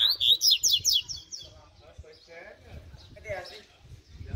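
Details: Training song of a mutant double-collared seedeater, a spirited bird: a loud opening run of fast, sharp repeated notes, fading into soft, scratchy warbling over low background sounds.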